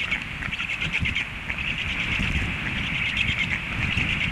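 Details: Hungry stork chicks begging after the parent flew off: a steady, high, rasping chatter of rapid pulses running throughout, over low wind rumble.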